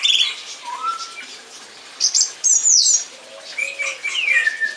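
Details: Varied song thrush song: a low whistle, then high thin piping notes and a descending slurred phrase.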